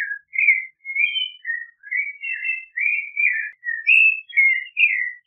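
A clay-colored thrush sings a steady run of rich, fluty whistled phrases, about two each second, rising and falling, over a quiet background.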